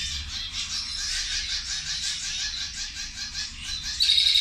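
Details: A group of zebra finches at their lunch keep up rapid, overlapping high chirps, several per second, ending in a louder, clearer nasal beep.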